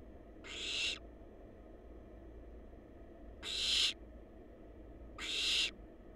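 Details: Barn owl babies, wild and filmed by a nest-box camera, repeat breathy hissing rasps three times in six seconds at uneven spacing, each about half a second, against a faint electrical hum.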